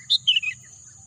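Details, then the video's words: Wild birds in green natural scenery: three quick high chirps, the first sharp and the next two sliding downward, over a steady high insect-like hum and a low rumble. "bunyi kicauan burung"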